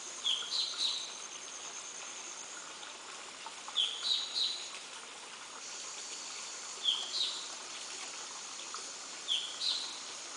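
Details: Dark-fronted babbler at Kolne, 23 May 2015, giving short groups of two or three high, slurred notes every few seconds over a steady hiss of background noise.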